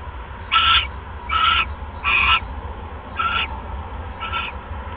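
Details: Owl calling at 1:30 AM on 31 December 2014 while snacking on a rat after casting a pellet: five short raspy, hissing notes spaced about a second apart, fading toward the end over steady low background hum.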